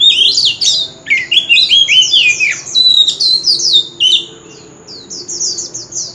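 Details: On a street corner an old wild-caught oriental magpie-robin sings loudly, pouring out a run of rapid, zigzagging whistled notes for four seconds before fading to thin, repeated high falling notes.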